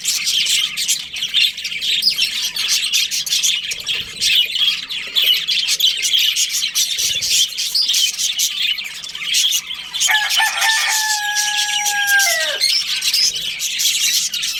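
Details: Busy budgerigar breeding colony, a continuous chorus of shrill chirps and chatter; near the end a lower, drawn-out whistle-like tone slides downward over the flock's noise.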